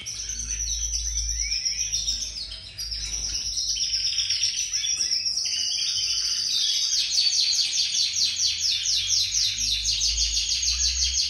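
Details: Many young domestic canaries bred in captivity beginning to sing together: dense, continuous high warbling with rapid trills and rolling buzzy phrases, growing fuller and more rhythmic in the second half, low hum underneath.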